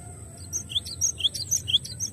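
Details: Softer, more distant-sounding glatik batu song: cinereous tit giving several high, clipped whistled double notes in an uneven rhythm over light background hiss and a faint high tone.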